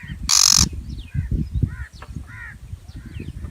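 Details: Shrike giving one loud, rough rasping call at the very start, then quieter chirps and short whistled notes from other birds over a low background rumble.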